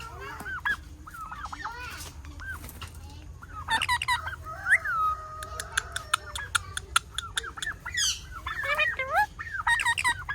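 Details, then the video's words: Parrots chattering busily: a steady stream of varied whistles, squeaks and clicks, with one longer drawn-out whistle and sharper harsh notes near the end. "Natural Parrot Sounds | Parrot Chirping Sounds"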